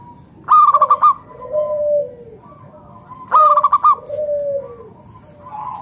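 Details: Local zebra dove in strong song, meant to draw other doves into singing: two bursts of rapid pulsed coos about three seconds apart, each followed by softer, lower, falling coos.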